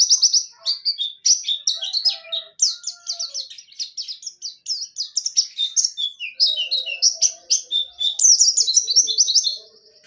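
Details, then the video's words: Dakun Pacitan white-eye singing continuously in 'ngerol' style with 'nembak' shots: a long stream of high, rapid twittering notes in cascading downslurred runs, with faint low hum-like tones in places. "DAKUN PACITAN NGEROL NEMBAK"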